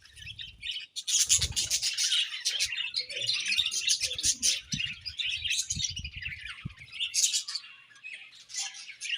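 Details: Several budgerigars chattering while eating, continuous buzzy high warbling and chirps with sharp clicks and low taps from the birds moving about.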